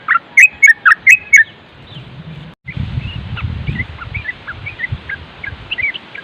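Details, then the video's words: Yellow-vented bulbul in a training recording of the rapid nropel song style, with wind noise: a quick run of six loud, bubbling notes, a pause, then softer scattered chirps over low wind rumble. "Masteran trucuk nropel dan suara angin bikin trucuk setres nyaut"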